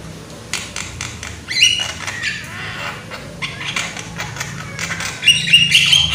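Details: Loud young Javan myna mixing dry clicks, harsh squawks and sharp, bright whistles in irregular bursts, with quieter gaps between phrases.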